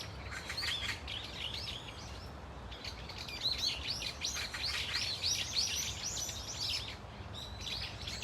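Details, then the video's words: Brown-eared Bulbuls, known locally as hurureuk bitjuksae, call as a flock in a Korean park: a long, busy stretch of shrill squeaky notes tumbling over one another, then a short lull. "직박구리 무리 다양한 울음소리 Brown-eared Bulbul sound of crying"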